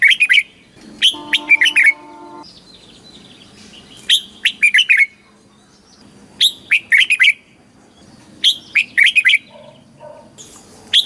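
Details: Southern master style song from a caged Thai red-whiskered bulbul, used to excite birds and teach chicks: repeated phrases of rapid whistled notes in four bursts, with a brief low humming tone early and later.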